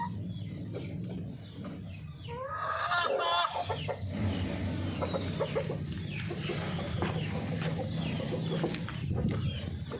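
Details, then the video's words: Golden Misri chickens clucking in short, uneven bursts, with a brief rising squawk near three seconds, over a heavy low rumble of engine-like noise. "Hen sound effect | Murgio Ki awaz | Golden misri Murgi"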